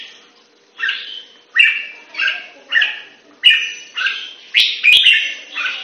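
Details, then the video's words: Red-whiskered bulbul in song training, kept in Singapore style, gives short warbled phrases about every three-quarters of a second, each a quick rise then drop, ending in a louder, denser burst with a sharp click. "สิงคโปร์เลี้ยง นกหัวจุก MOSCOW Training Long Gun Keke"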